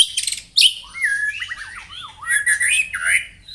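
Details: White-rumped shama singing in the morning to provoke rivals into singing: a varied phrase of clear whistles that slide up and down, looping notes, and short buzzy bursts at the start.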